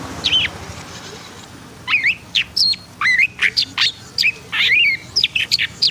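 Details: Long-tailed shrike singing a rapid varied medley of sharp chirps, slurred whistles and squeaky notes in quick succession after a brief quiet start.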